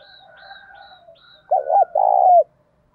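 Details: Decoy spotted dove used to provoke wild rivals into fighting, with a loud, clear voice. One short, hollow three-part coo phrase follows a stretch of faint, low murmuring cooing.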